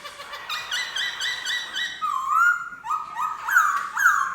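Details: Black-throated laughingthrush singing: a series of loud, clear whistled notes with strong overtones, each repeated about once a second, then lower slurred whistles rising and falling in quick succession.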